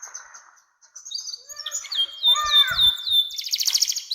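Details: Canary singing a long 'nembak' song used to lure young canaries into singing and as a master song for other birds: thin high twitters, then a run of repeated downslurred notes ending in a dense buzzy trill, with a few soft thumps.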